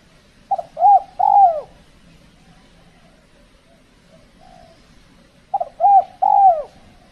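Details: Spotted dove recorded while trapping with a lure bird in extreme cold season, when birds are less bold and aggressive, giving two soft, mellow three-note coos, each ending in a rolling, falling note, about five seconds apart.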